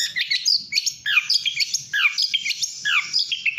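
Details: Long-tailed shrike, kept bird, delivering a fast jumble of varied whistled notes, many sliding downward, strung into busy, mimic-like phrases roughly once a second, with faint low background noise.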